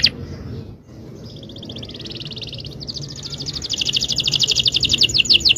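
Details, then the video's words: Yellow canary singing: a sharp opening note, then long fast trills of high buzzy repeated notes that grow louder and quicker toward the end, over a low background hum. "#birdsong #canarylover"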